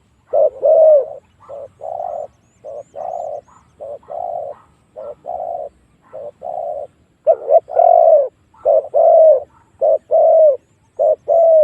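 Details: Spotted dove cooing used as a lure to provoke wild doves to fight. Continuous low coos, some softer and some loud falling croos, run almost without a break, possibly from more than one bird.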